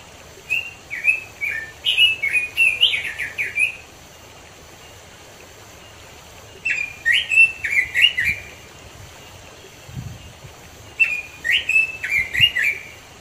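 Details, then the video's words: Red-billed leiothrix (Pekin robin), recorded in the wild in the mountains of East Java, sings three bursts of quick, rich warbled whistles about three seconds each, separated by short pauses over quiet hiss; used as a lure for robins. "suara robin di alam"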